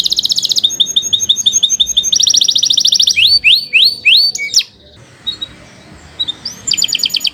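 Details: Canary (Kenari Nusantara) in long gacor song for teaching young or silent canaries: buzzy trills, a run of evenly spaced chips, a series of loud rising-falling whistled sweeps, quiet gap, then a final rapid trill.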